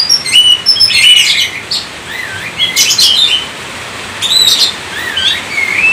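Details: Indonesian Oriental magpie-robin (kacer) singing gacor style: clear whistled phrases with wavering, looping slurs and sudden buzzy high chirp bursts, alternating with quieter gaps of about a second.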